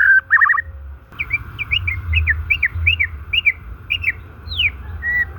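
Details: White-rumped shama singing, a recording used to stimulate shamas that have stopped singing or are stressed; a short buzzy trill opens, then a run of clear slurred whistles, each dipping, repeated about twice per second, over a steady faint background hum.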